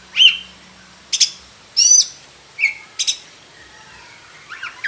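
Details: Oriental magpie-robin, black-breasted form, uttering a few sharp whistled notes and brief buzzy phrases, each about a second apart, with low hiss behind.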